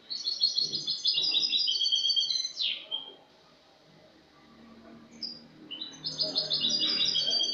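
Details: Clean-song ('cante limpio') phrases from a Spanish goldfinch, dated 22 August 2018. A long run of high, rapid tinkling notes ends in a harsh buzzy descending note, a few seconds of near silence follow, then another bright twittering run begins.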